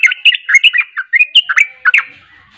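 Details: Trucukan, the sooty-headed bulbul, pours out a vigorous 'ropel' song of fast chattering, liquid whistled notes in tight clusters, fading into a soft trailing note.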